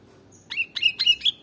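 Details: ['Sooty-headed bulbul song used to lure birds: a quick phrase of four short chirpy notes, each sliding up into a bright clear whistled tone, the last slightly higher, in a quiet background.']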